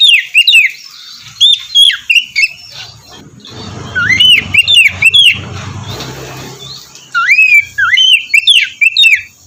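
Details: White-rumped shama song played in the morning to encourage a bird that sings little; repeated clusters of sharp swooping whistles over a faint low background hum.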